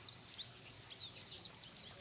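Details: At feeders in Ottawa County, Michigan, on a misty mid-March morning, American goldfinches twitter in a quick, jumbled run of high, thin chirps and warbled notes, several birds overlapping with barely a pause.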